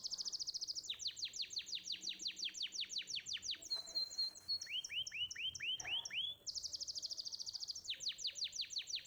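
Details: Canary masteran for young birds to copy: a fast high trill into repeated descending notes, a short level whistle, slower curved upswept notes, then the rapid trill returns.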